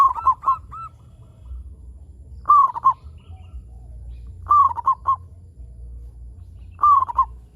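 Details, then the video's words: Local zebra dove singing persistently, used to lure other zebra doves into calling: short low cooing phrases of rapid burry notes, about every two seconds, four phrases, steady low hum beneath. "PERKUTUT LOKAL GACOR SUARA PALING AMPUH UNTUK PANCINGAN BURUNG PERKUTUT AGAR BUNYI"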